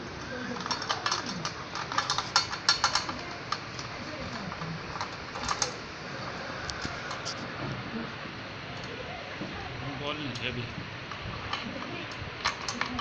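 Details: A budgerigar playing with a mirror chatters in soft, warbling runs, broken by sharp clicks and taps.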